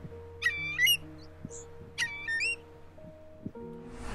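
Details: Eurasian curlew, the UK's largest wader, whose name is thought to come from its call, giving two rising, whistled calls about a second and a half apart, over soft background music.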